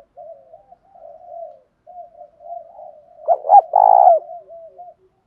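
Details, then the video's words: Soft low murmuring from a decoy spotted dove builds into one loud coo phrase: two brief clipped notes and then a sustained burry note, followed by more quiet wavering murmurs. The phrase is a fight-provoking call. "Tiếng chim cu gáy mồi thúc đấu, chim cu gáy kích bổi mới hiệu quả, cu mồi giọng thổ pha thúc đấu"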